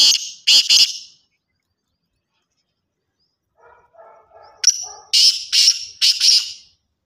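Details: Black francolin (kala tetar) calling: two loud, harsh, buzzy high notes, a pause with faint lower warbling chatter, then a sharp clipped note followed by three rasping, grating bursts in quick succession.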